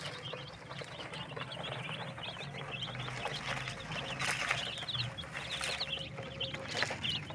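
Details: Desi chicks on a rooftop farm in Pakistan during their daily routine; many high, rapid peeps overlap continuously as a chattering chorus, with low humming and faint background noise underneath.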